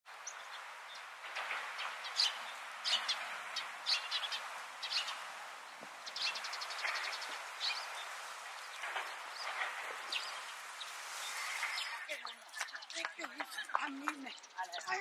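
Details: In Shirakawago, Japan, in April 2014, Eurasian tree sparrows (Passer montanus saturatus) chirp in a dense, busy chatter of short, bright notes, turning into sharper, clearer chirps near the end.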